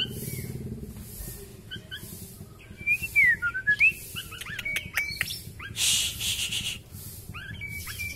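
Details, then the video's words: {'text': 'White-rumped shama of the Kalimantan type with a very long tail, singing heavily with imitated phrases: loud, swooping whistled notes between two and three seconds, then sharp clicks and short whistles, over a low rumble and a pulsing high hiss.'} "Murai batu K.L ekor terpanjang gacor mutah isian"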